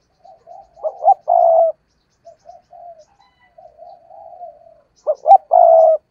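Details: Spotted dove kept as a decoy bird, cooing: soft short low notes build to a loud, drawn-out, steady coo. The sequence is heard twice within six seconds, with quiet murmuring notes between.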